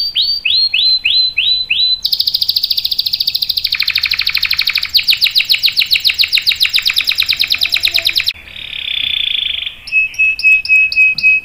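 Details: Canary performing a long rolling song, used as a lure for young canaries: falling sweeps, then a long, fast, high trill that drops in pitch, followed by a buzzy held note and sharp clicking sweeps.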